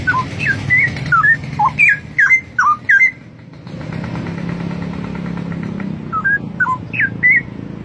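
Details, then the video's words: Wild straw-headed bulbul in loud song; a bubbling string of swooping whistled notes, then a gap filled by a passing vehicle's engine rumble, followed by a few more liquid whistles. "Kehidupan Burung cucak Rowo di alam Liar berkicau indah"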